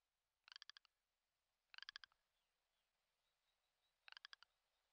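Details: Rock ptarmigan of the Commander subspecies ridgwayi in spring mating-display season at the Komandorsky reserve. Three short, distant bursts of dry clicking pulses, each about half a second long, spaced over a quiet background.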